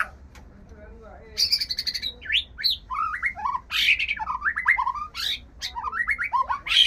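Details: White-rumped shama in breeding condition singing a rich varied song: quick rising and falling whistles, slurred notes and sharp chips in rapid changing phrases, over a low background hum.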